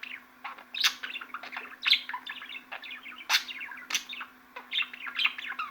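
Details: Warbling budgerigar chatter made of rapid chirps, squeaky whistles and sharp clicks, louder accents recurring every second or so, the babble never stopping; a low electrical-sounding hum stays constant beneath.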